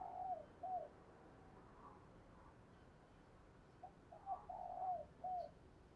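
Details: Decoy spotted dove cooing to lure wild doves, a few soft coos at the start, a quiet gap, then a fuller repeated cooing phrase with falling endings against a hissy background.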